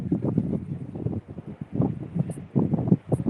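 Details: Gusty wind buffeting the microphone, with a low rumble and no animal calls. Only rough low-pitched noise comes through, with faint rustling.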